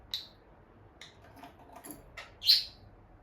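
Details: Indoor pair of peach-faced lovebirds near the nest box: a handful of short, sharp chirps spaced through three seconds, ending in one louder, drawn-out shrill note, otherwise near silence.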